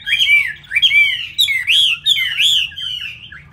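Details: Caged Chinese hwamei in Hanoi, Vietnam, kept as a loud-singing fighting bird: rich, loud whistled phrases that swoop up and down, with bright slurred notes repeated in quick succession against a faint low hum.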